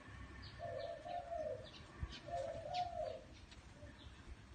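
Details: Spotted dove in a small garden gives two soft, low cooing phrases, each about a second long, with faint high chirps of other birds behind.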